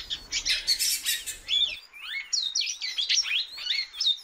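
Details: Captive female great-billed seed finch calling a lot. Harsh scratchy chirps give way to a quick series of clear, high, curving whistled notes, several rising then falling, closely spaced.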